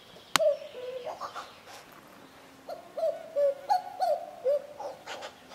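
Common cuckoo giving soft, hollow two-note calls that drop in pitch, cu-coo, repeated in a loose series, with faint clicks and background noise.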